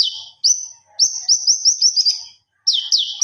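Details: Master song of a common iora, locally konin, singing gacor until ngobra: a long trilled whistle of rapid upward-flicked notes, a short silence, then a pair of ringing downslurred whistles.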